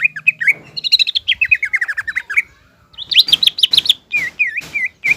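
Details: Energetic green leafbird singing to rile up a spotted young leafbird: quick chattering runs of slurred whistles, falling note series, then a pause and loud rising-falling whistled notes repeated several times.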